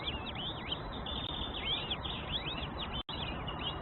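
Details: Baby birds calling in the nest as the mother feeds them: quick run of high, looping chirps, almost continuous, over heavy broadband hiss, with a brief dropout near the end.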